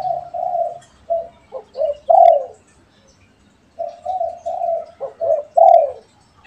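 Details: Pet and wild spotted doves calling back and forth, with two low, mellow cooing phrases: a few soft coos building to a stressed, falling final note, the phrase repeated after a short pause.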